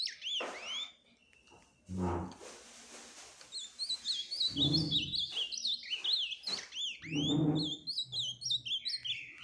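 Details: Ultramarine grosbeak delivering a run of sweet, slurred whistled notes, repeated rising-and-falling phrases throughout, broken by low rumbling bursts of handling noise or voices.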